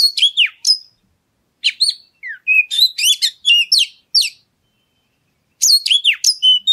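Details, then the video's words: Oriental magpie-robin song for provoking other birds to sing, clusters of sharp descending whistles and chattering notes, a long silent pause near the end, then another rapid varied phrase. "Pancingan Suara Kacer Segala Medan Dan Cuaca"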